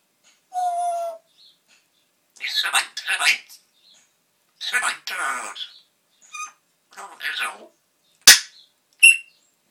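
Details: Parrot kept as a pet, talking to himself when left alone in a small room; a run of speech-like mimicked syllables with a tonal note, pauses between phrases, and sharp clicking or popping sounds near the end.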